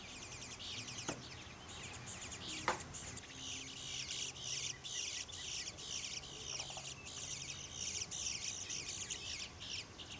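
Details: Begging young bluebirds in a back yard at Troy, Ohio, calling for food: dense, high, scratchy chirping repeated in quick runs. A couple of sharp knocks sound early, and a low hum runs underneath.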